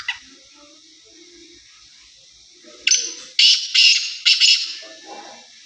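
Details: Sindhi Black francolin (kala teetar) from Pakistan calling: a rapid, harsh, grating burst of four or five loud notes after a quiet start, with faint murmuring in the background.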